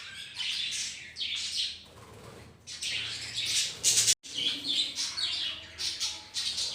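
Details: Budgerigars in a home colony shared with ring-necked parrots: busy overlapping high chirps and warbling chatter in bursts, with brief pauses and a moment of silence.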